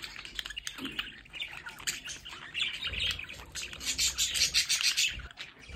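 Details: Pet budgerigars at a home window play area chatter in a busy, scratchy warble of rapid chirps and squawks, several birds overlapping, with a faint low rumble beneath.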